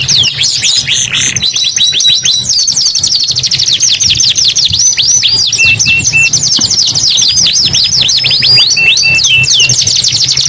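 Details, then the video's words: Kenari gacor canary song, loud and unbroken: fast rolling trills of high swooping notes, repeated descending slurs, and short flat whistles, over a soft low hum. "KENARI GACOR 2 IN 1 | CANARY SINGING"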